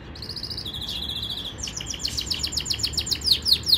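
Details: Yorkshire canary training song opening with soft pulsed rattles, then a steady series of loud downward-sweeping whistled notes that grow stronger toward the close.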